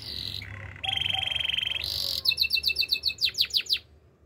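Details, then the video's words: Canary singing a buzzy, low, rolling trill, then a sustained, higher, rattling trill, followed by a run of sharp, descending, whistled notes repeated about four per second that fades out. "Bird sounds canary chirping"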